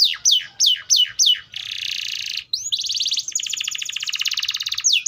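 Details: Atlantic canary delivering four strong falling whistles, then a sustained buzzy rattle that runs into a long, rapid, pulsing trill.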